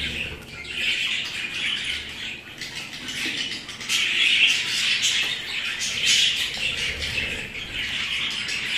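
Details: Pet budgerigars keep up a dense, warbling chatter, with scratchy squawks and quick chirps that swell and fade without pause.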